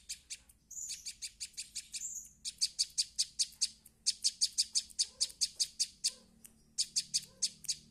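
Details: A young prinia practising its song: long runs of sharp, evenly spaced high ticking notes, roughly five a second, broken by short pauses and a couple of brief higher trills.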